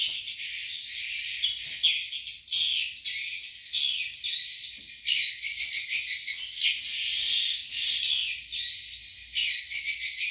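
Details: Swiftlets in a nesting house during breeding season, with many nests holding eggs and chicks, twitter in a dense, continuous high chorus of buzzy chirps and clicks, many birds calling over one another without pause.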